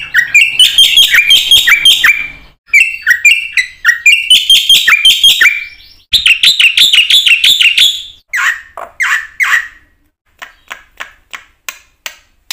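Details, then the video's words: Black-winged myna delivering a 'gacor full isian' song, used as a lure to train other mynas. Dense, fast, squeaky whistled phrases give way to slower, drawn-out notes and then sparse clicks. "suara jalak putih gacor full isian ini pancingan masteran burung jalak bengong"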